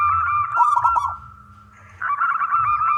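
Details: Loud local wild zebra dove singing to draw others into song. A rolling coo with crackly bursts fades into a quiet pause, then the pulsing coo returns.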